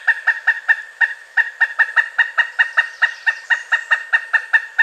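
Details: Pileated woodpecker, one of North America's largest and loudest woodpeckers, giving a fast series of loud, nasal, evenly spaced 'kuk' notes, about two to three per second, held for five seconds against a quiet background.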